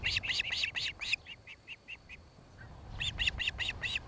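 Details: Osprey pair's nest in Charlo, Montana, 26 July 2018, evening camera feed: bursts of loud, sharp whistled chirps, briefly softening into a quieter row before another emphatic rapid run, with light background rumble.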